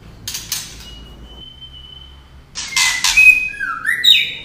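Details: Singing female white-rumped shama, with clicks, meant to excite males: a rasp, a long thin steady whistle lasting over a second, then loud harsh bursts mixed with sharp whistled and falling notes.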